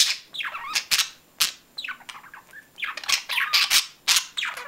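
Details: Budgerigars chattering in a busy run of scratchy squawks, sliding warbled notes and clicks, almost continuous, with a faint constant high-pitched whine behind.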